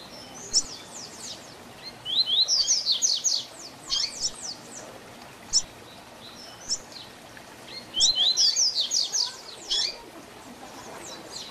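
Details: Teaching song of the double-collared seedeater in the 'Tui Tui Zel Zel Diferenciado' style: repeated phrases of fast, high, descending whistled notes in bursts of about a second, separated by short gaps, over light background hiss.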